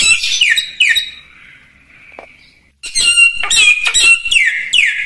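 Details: Common iora in active song as tutor material for other birds: two loud downslurred buzzy whistles, a fading thin note, a short gap, then a fresh burst of harsh phrases and swooping whistles.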